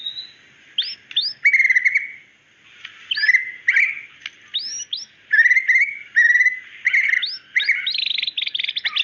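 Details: Female white-rumped shama calling to the male: bursts of sharp upslurred notes and buzzy trills separated by short pauses, ending in a dense rapid chatter.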